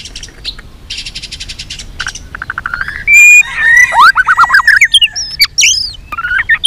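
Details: White-rumped shama singing a combative, many-voiced song: soft rapid rattles give way to a loud steady whistle, then a lively jumble of slurred whistles, chirps and clicks.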